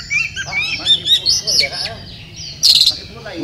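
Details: Oriental magpie-robin, a caged contest bird at a 2018 singing competition in Sri Aman, Sarawak, Malaysia, delivering a string of clear whistled, sweeping notes, some rising and some falling, with a short harsh burst near the end over a low background hum.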